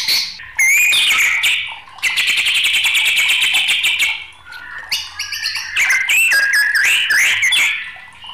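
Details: White-rumped shama in an agitated mood, singing a long, fast buzzy trill of rapidly repeated notes, then a jumble of bright whistles and scratchy notes.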